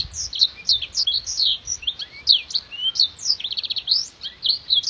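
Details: Black-throated canary master recording for contest training: a dense, lively run of high, sharp chirps, downward slurs, and a quick, evenly pulsed trill, with clear, crystal-toned phrases delivered continuously.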